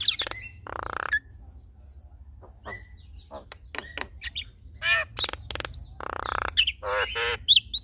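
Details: Male and female Javan mynas duetting in a contest of mimicry and varied repertoire: harsh buzzy bursts with dense harmonics, short whistled notes and rattling squawks in irregular sequence, over a steady low hum.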